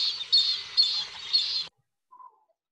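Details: Bronze-winged jacana call played back, a rapid harsh chattering rattle of dense high notes for under two seconds with three louder pulses, then silence and a faint short low note.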